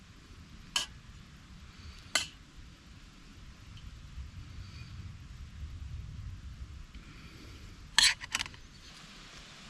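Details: A steady low rumble of distant traffic fills the quiet woodland, broken by a few sharp clicks and knocks, with no animal calls heard.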